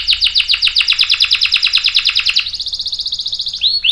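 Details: Canary singing a long rolling song: rapid high chirps repeated about eight times a second for over two seconds, then switching to a faster, higher trill, ending in a couple of sweeping whistled notes.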